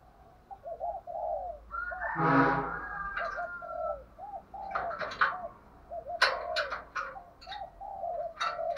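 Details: Decoy spotted dove giving fighting coos meant to make newly caught caged doves answer. Soft, low hooked coos repeat steadily in the background, with a louder burst near two seconds and sharp clicks and knocks over the later half.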